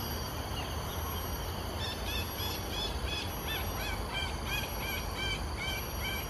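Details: A migratory Black baza perched low, close up, in Singapore gives a quick run of short, squealing, slightly inflected notes in close succession, over a steady low rumble of wind or distant traffic.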